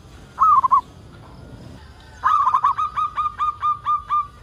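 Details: Zebra dove, local bird, used as a lure for other zebra doves to sing: a short stuttering trill, a pause, then a long series of rhythmic coos slowing slightly toward the end.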